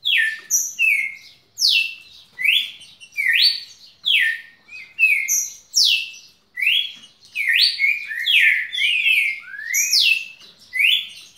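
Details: Kept red-cowled cardinal's nonstop song: rhythmic sequence of loud, pure whistled notes, alternately dropping and climbing in pitch, repeated in short phrases about once a second for over ten seconds.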